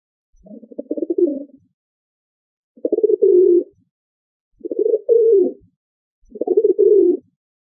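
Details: Four rolling, throaty pigeon coos, each lasting about a second and with a slightly trembling texture, spaced roughly two seconds apart in clean silence.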